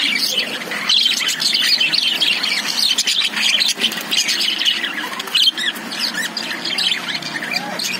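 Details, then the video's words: Lovebirds inside a cage, many birds chirping at the same time in busy, overlapping squeaky tweets and short rising and falling notes that never pause. "Love birds sound|| Cute love birds inside the Cage"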